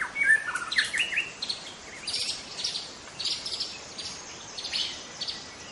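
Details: Young wild white-rumped shama from the forest: a loud whistled opening phrase, then softer repeated chirpy notes against a hissing background.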